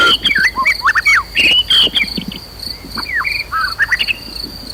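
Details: White-rumped shama singing in challenge, used to rouse other birds to fight and sing loudly. Quick, bright, whistled phrases and chattering notes come in bursts over a constant high, ringing insect drone.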